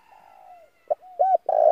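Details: Spotted dove lure call for attracting doves: a soft falling coo, a short hoot, an arched coo, then the start of a louder burred coo.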